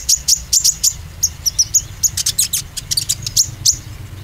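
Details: Oriental white-eye lure to stimulate green and spotted birds: continuous rapid high chirps and clipped whistled notes, several per second, energetic and unbroken.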